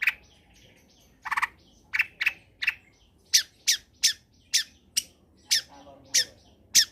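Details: Long-tailed shrike giving harsh scratchy notes, roughly two to three each second after a short stuttered burst, as a lure recording to stimulate idle shrikes to sing.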